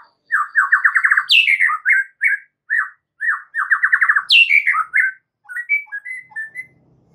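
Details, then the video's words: White-rumped shama in lively gacor song for training caged birds: fast rattling trills of repeated notes, sharp descending flourishes and scattered clear whistles, fading into faint background noise. "MASTERAN mUrai batu GACOR"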